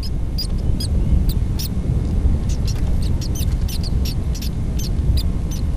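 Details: Chimney swift nestlings fed by both parents with insects caught on the wing; scattered, sharp high chips and short raspy bursts come in quick irregular runs above a heavy low hum.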